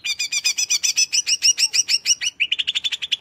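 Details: Greater green leafbird in energetic song: a long, even sequence of loud doubled chirps at high and mid pitch, followed by a quicker patter of lower clipped notes; meant to fire up listening birds.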